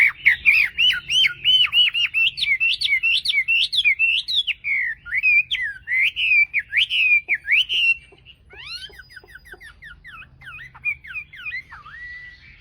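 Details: Dawn contest song of a tame Chinese hwamei: about eight seconds of rapid, loud, rolling whistles bending up and down in quick succession, then softer, scattered chirps and thin whistled notes.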